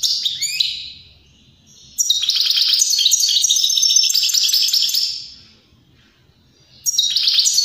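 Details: Song of a European greenfinch, meant to prompt other birds into singing and mating. A brief twitter opens, then a long run of rapid, rattling trills and chirps before a fresh phrase starts.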